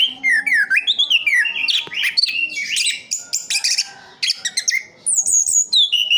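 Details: Orange-headed thrush kept in captivity in Sidoarjo, East Java, delivering a continuous rolling song of sliding whistles, falling slurs and rapid high chattering trills, with barely a break between phrases.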